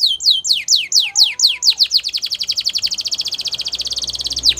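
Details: Training song of a Gloster canary, starting with falling whistled notes that speed up into a long rapid rolling trill at steady pitch.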